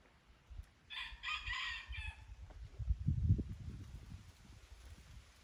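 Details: Wild red junglefowl from Aceh, recorded at Durung, Krueng Raya: one short crow of about four hoarse, banded syllables lasting roughly a second, with the middle syllables loudest, over steady low rumbling noise.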